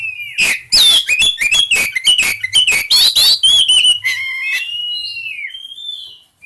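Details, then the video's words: Caged Oriental magpie-robin in breeding condition, singing hard: a rapid run of loud harsh chattering and scratchy notes about three per second, then softer sweet whistles and a long sliding whistled note at the end. "Suara burung Kacer gacor birahi, burung kacer over birahi"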